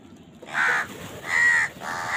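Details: Crows eating, fighting over food: two or three harsh, drawn-out caws with a nasal, rasping tone, each about a third of a second, separated by short gaps over a quiet outdoor background.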